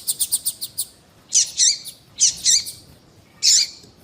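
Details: Female double-collared seedeater piping to warm up a singing male. A fast series of six clipped high ticks opens, followed by paired buzzy, downslurred chirps repeated three times with short pauses.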